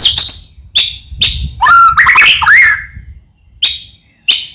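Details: White-rumped shama song played to provoke other shamas into singing: sharp high chips around a loud burst of rising whistles, buzzy rattles and slurred notes, then more short chips.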